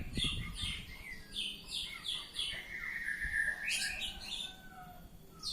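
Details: Varied ngeplong song from an Oriental magpie-robin: quick paired whistles, then a long sustained whistled note and a sharp upward sweep, with a few low thumps at the start.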